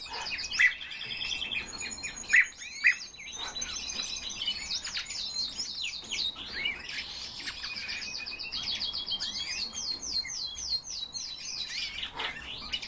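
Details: Common rosefinch kept as a pet bird, with bright chirps, trills and rapid warbled phrases running almost continuously, several louder sharp notes near the start, over a faint low hum.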